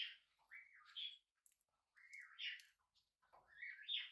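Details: A tame, hand-reared pet budgerigar on its first day at home, indoors, gives three rising, warbling chirps, each sliding upward in pitch and spaced about a second and a half apart.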